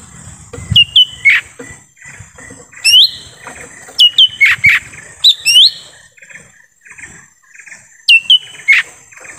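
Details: Lesser green leafbird calling in forest, a recording meant to attract wild birds: repeated bright whistled notes dropping steeply then flattening, mixed with short rising slurs and a few harsher chirps, in clusters every one to two seconds.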